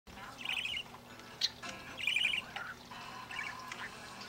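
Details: Pet bird breaking out in song and dance, singing on and off. Three short trilled bursts sound at regular intervals, with brief sharp chips in between, quiet against a low background hum.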